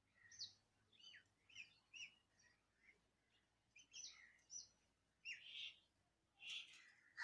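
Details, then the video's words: Scattered whistled and slurred bird notes in Andhra Pradesh, India, rising and falling, spaced irregularly with a few louder bright calls toward the end. "Birds singing in Andhra Pradesh india"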